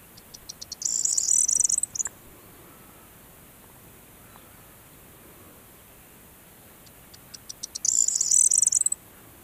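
A corn bunting sings twice: a few quickening ticks run into a high, dry, jangling rattle like shaken keys, each phrase about two seconds long.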